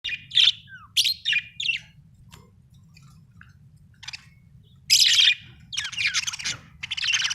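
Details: Happy budgerigar chirping: bursts of bright, scratchy chatter and short tweets with quick sharp notes, pauses between, and a low steady hum underneath.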